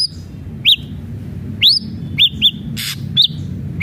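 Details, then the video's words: Ashy drongo song for prompting a caged bird to sing: sharp upslurred whistles, some doubled, spaced irregularly about once a second, over steady low-pitched background hum and one brief noisy burst. "SRIGUNTING ABU ABU GACOR PALING CEPAT BIKIN SRIGUNTING BAHAN JADI GACOR"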